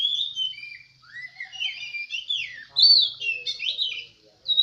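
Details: Oriental magpie-robin singing at a songbird contest in Semende Perapau: rich, varied whistled phrases with rising and falling slurs and quick buzzy notes, broken by brief pauses, with faint low murmurs in the background.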